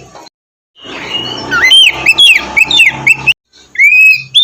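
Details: Oriental magpie-robin singing, used as morning therapy to coax a lazy bird into song; a run of short upswept whistles over a low hum, a brief break, then one long rising whistle.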